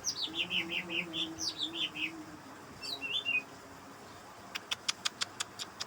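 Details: At night, a greater green leafbird sings to draw in others of its kind. It gives a quick series of bright chirps stepping downward, a few twisting notes, then evenly spaced sharp clicks over a low background hum.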